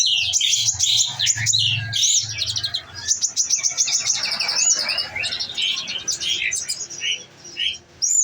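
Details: Caged olive-backed sunbird, kept on nectar, in full 'nembak' shooting-style song: a dense, continuous stream of very high, rapid twittering trills and sharp metallic notes, with a low steady hum underneath.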